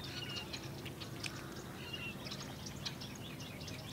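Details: Several fulvous whistling-ducks, Texas, giving brief clear whistles, one early and another near the middle, amid a busy scatter of sharp ticks and chirps from a noisy outdoor setting with constant low hum.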